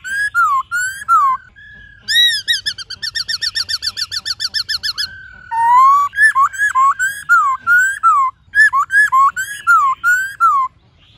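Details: White-cheeked laughingthrush (Pterorhynchus vassali), song.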